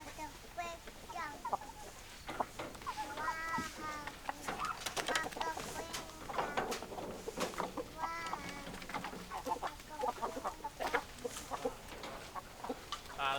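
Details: Hens and roosters in a flock, many overlapping clucks and harmonic cackling calls in bursts, with sharp clicks and some human voices mixed in.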